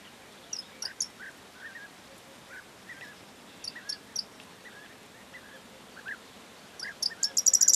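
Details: Corn bunting singing, recorded 4 June 2022. Scattered high ticks and soft lower chirps recur over several seconds, ending in a fast, rising series of clicks that builds into a jangle.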